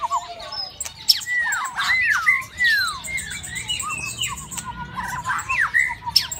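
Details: Mating-season white-rumped shama in a cage gives falling whistled slurs and twangy notes, mixed with scratchy higher twitters and a soft low hum.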